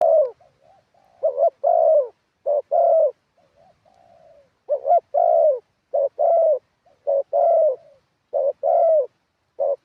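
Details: Spotted dove kept as a ground decoy bird, singing in the wild-style phrasing valued in Thailand: low cooing phrases, each a quick stuttered double note and then a longer mellow coo, repeated with soft murmurs between them.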